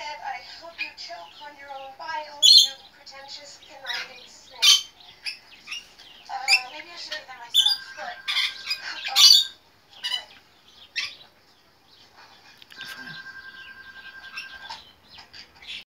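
A young rainbow lorikeet gives harsh, scratchy squawks and chattering notes in uneven bursts, with a few sharp screeches and a brief steady whistling tone.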